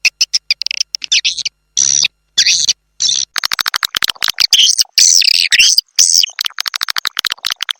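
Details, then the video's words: 'Triple X Vietnam' swiftlet calling sound for attracting swiftlets: scattered clicks and shrill twitter bursts at first, then a dense, rapid chattering of high chirps and clicks. "Suara Panggil Burung Walet Triple X Vietnam"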